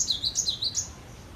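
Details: Cinereous tit singing actively, a short burst of sharp, high see-saw notes, about six alternating high and lower pips, ending abruptly and leaving quiet background.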